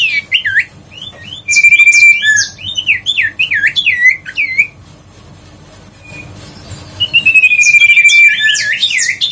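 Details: Grey-headed canary-flycatcher singing, a recording used to lure birds and coax a quiet one back into song: rapid bouncing whistled notes around a steady held whistle, a quieter pause, then a sustained whistle with more looping notes.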